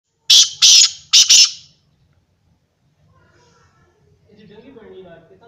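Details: Black francolin, known locally as kala teetar; loud, harsh, grating call of four rapid bursts within about one and a half seconds, then near silence followed by faint low speech.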